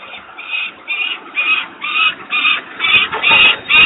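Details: Young peregrine falcon at Włocławek, recorded 11 July 2022; harsh, grating calls given in a steady series about twice a second, each a short rasping burst, with a low background rumble throughout.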